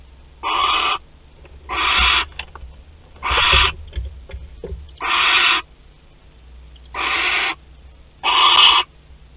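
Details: A barn owl at its Théding nest in France, 25 April 2021, male present: six separate harsh hissing bursts roughly every one and a half seconds, with faint scratching and knocks between them.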